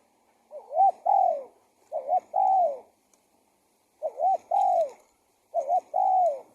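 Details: Spotted dove calling as a decoy to lure wild doves: four soft, mellow cooing phrases, each a quick double note followed by a longer drawn-out coo, spaced about one and a half seconds apart in a quiet setting.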